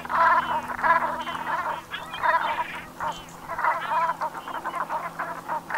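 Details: Brent geese at sunset in the Gulf of Morbihan, Brittany, France, on 7 November 2021 in autumn: a dense chorus of guttural, rolling croaks overlapping in waves, with a steady low hum underneath.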